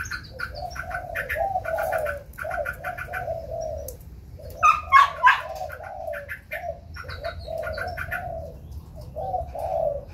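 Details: Singing contest by a white black-throated laughingthrush, wings spread: steady run of low mellow whistled phrases with buzzy overtones, a sharper loud outburst near the middle.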